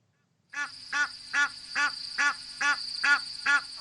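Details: Egyptian geese being chased by a leopard at Nkoropan give harsh, nasal honks about twice a second, eight in a row, over a steady high hiss.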